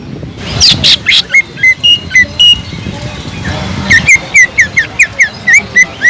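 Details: Greater green leafbird in lively song with kingfisher-imitation notes: scattered short whistles early on, then from the fourth second a fast, even run of bright, clipped notes, about four per second.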